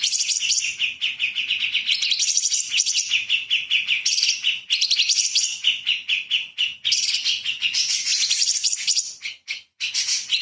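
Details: Light-vented bulbul song with dense 'isian' rapid-fire phrasing, recorded as a master for magpie-robins: nearly continuous fast trills and chattering notes shifting between higher and lower phrases, with a faint low background hum.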